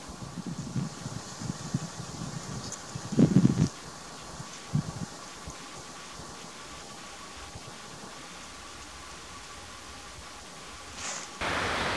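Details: Steady wind or fan-like hiss with a few low thumps and rustles, and no animal calls.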